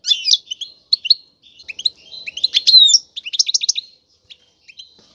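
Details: Male European goldfinch kept in a cage, singing powerfully to push a female toward mating: quick bright twittering notes, liquid chirps and a dense burst of trilled notes mid-phrase, then scattered soft tweets.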